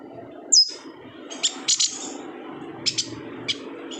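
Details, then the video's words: Kalimantan yuhina in full voice, a recording for tutoring songbirds: one loud sharp falling whistle, then scattered high chirps in pairs and singles, with a steady background hum. "BURUNG YUHINA GACOR"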